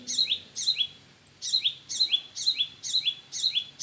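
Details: Parent birds call at their nest. Sharp, high, downslurred chirps come in pairs and triplets, about two groups per second, and stay loud and steady throughout.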